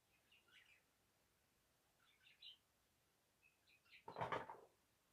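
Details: Pet budgerigars that like to sit on a mirror and try to bite it give soft, scratchy warbling chirps in short bursts, followed by a brief rustling flutter.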